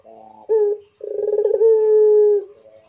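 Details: Barbary dove of the pelung type cooing prolifically: faint soft notes, a short loud low coo, a brief pause, then a bubbling, rolling coo that flows into a long, steady, drawn-out low tone before fading to quiet notes.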